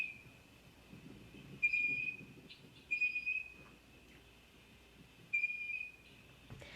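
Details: Blue Jay at a feeder beside a New York pond surrounded by woods, on an overcast, windy day; it gives three short, clear, bell-like whistled notes a second or two apart, bobbing at the top of the view, over a faint steady high tone and low rumble.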